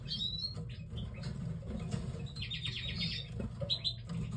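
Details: A pair of canaries, a yellow canary with a red mosaic, heard in short high chirps and one quick buzzy trill of evenly repeated notes, over steady low rumbling and light rattling cage noise.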